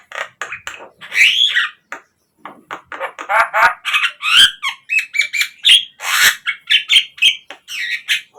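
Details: Lure song of Javan myna for training caged birds, a continuous stream of harsh chatter, squeals and short whistled rising notes in rapid succession.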